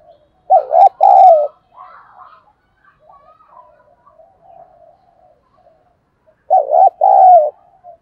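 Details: Decoy spotted dove cooing to entice wild doves, two loud two-part phrases about six seconds apart, with fainter murmuring coos between them.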